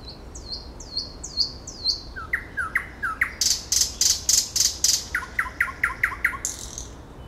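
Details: Nightingale song: a loud, varied run of rising whistled phrases repeated in quick series, then rapid rhythmic chook-like pulses and a final run of sharp repeated notes, about three per second, over a quiet background.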